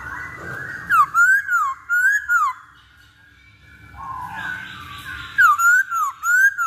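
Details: Masked laughingthrush song serving as a singing lure, with two bursts of loud slurred whistles dipping and rising, separated by a quiet gap with faint softer notes.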